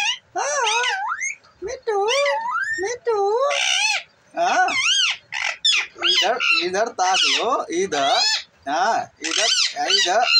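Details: Talking parrot delivering a long series of loud, rapidly modulated voice-like syllables and wavering whistled sounds, many short bursts over ten seconds with brief silences between them.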